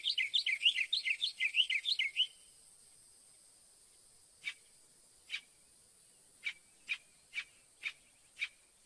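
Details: Northern mockingbird sings a rapid, looping warbled phrase over two seconds, then switches to sharp single chip notes spaced about half a second apart.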